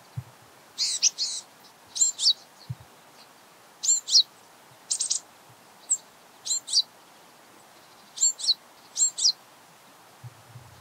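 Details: Japanese Tit recorded at close range, giving sharp high paired notes, each pair bright and clipped, repeated roughly every one to two seconds, with occasional soft low thumps.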